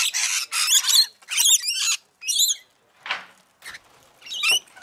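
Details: Rainbow lorikeets while feeding: rasping, chattering screeches in short bursts with brief gaps, a few rising squeaks between them, and a soft rustle near the end.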